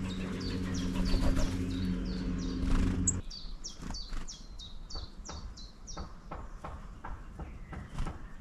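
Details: Long-tailed tit in town: a run of thin, high, short downslurred notes repeated several times a second, with a low traffic rumble in the first three seconds that then fades.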